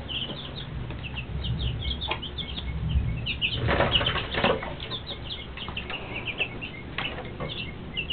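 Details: Two-week-old Rhode Island Red and Shaver Red chicks peeping as a group: many short, high chirps repeated rapidly and overlapping, with broad rustling or flapping bursts near the middle and low background rumble.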